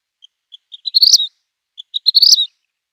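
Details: Vermilion Flycatcher, possibly recorded at Bolsa Chica, singing twice: a few soft, high ticking notes that speed up into a bright, buzzy twittering flourish, each phrase lasting about a second.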